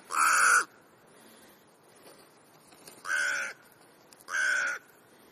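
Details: Afternoon crow gathering in Clara Zetkin Park, Leipzig, with many birds present. Three loud, hoarse caws, each about half a second long, are spread over five seconds against a quiet background.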